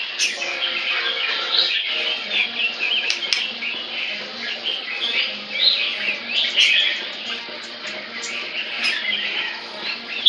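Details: White-rumped shama kept in captivity, tail almost eight inches long, singing loudly: a busy jumble of fluty whistles, rising slurs and twittering notes, with brief clicks and rustling like wing flutters.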